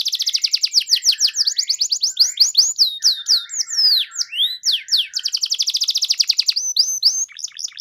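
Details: Canary in full song, used as a lure for birds that rarely sing: fast trills alternating with varied whistled slurs and low nasal twittering, the phrases changing every second or two.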